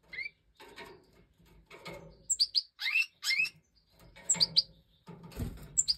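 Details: Major European goldfinch fledglings, five chicks from the 2024 breeding out of the nest, being fed by their mother. Bright high chirps in short runs, some rising slurred notes mixed in, over soft shuffling.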